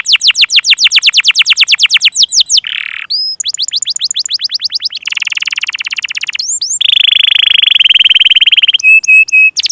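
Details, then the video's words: Canary lure song to prompt young and non-singing canaries: rapid falling-note trill, a buzzy burst, varied fast trills and rolls, a long buzzy roll, then steady whistled notes and hooked chirps. "burung kenari pancingan paud dan yg macet"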